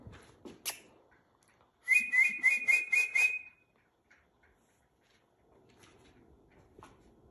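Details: Trained pet rainbow lorikeet giving a rapid run of about six short whistled notes, rising then dipping, in a quiet room with faint handling noises before and after.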